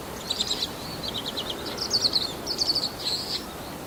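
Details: Male bull-headed shrike, filmed 28 March 2015 on a Canon PowerShot SX60 HS, mimicking other wild birds' calls: high chirping notes and short trills in quick bursts, broken by brief pauses, over a steady background hiss.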